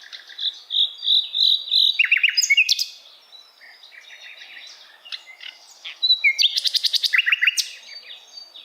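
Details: Asian brown flycatcher, a tutor recording for teaching other songbirds: high, varied song of short whistled notes and fast sweeping trills, with loud rapid rattling bursts around the third and seventh seconds and quieter twittering between.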